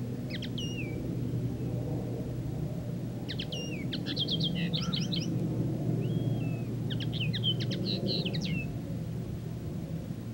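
A common linnet sings in three short bursts of quick, varied twittering with a few clear whistled notes, over a steady low rumble.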